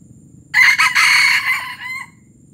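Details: Palembang junglefowl giving a gerabas crow: an abrupt, harsh start, a short break, then a long raspy phrase that gradually fades into a thinner tapering tail, roughly 1.5 seconds in total, nothing else prominent.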